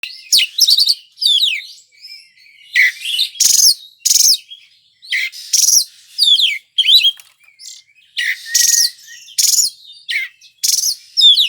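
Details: Oriental magpie-robin (kacer) singing gacor, its vigorous nonstop song: bright whistled slurs that rise and fall, alternating quickly with short harsh buzzy bursts, phrases packed closely together with brief gaps.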